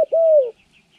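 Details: Single spotted dove coo from a trapping training session, January 14, 2020: a clipped first note then a smooth, sustained, gently falling second note.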